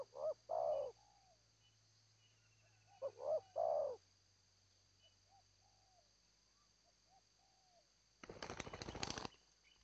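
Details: Zebra dove song: two short bursts of rolling, staccato coos at mid pitch, then near quiet with a few faint chirps, ending in a loud burst of broadband rustling noise.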